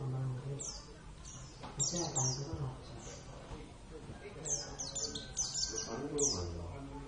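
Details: Javan Oriental white-eye (Zosterops palpebrosus javanus), a home-raised pet, delivering scattered high slurred notes that drop steeply in pitch, grouped in short rapid runs, while people speak and a low hum runs beneath.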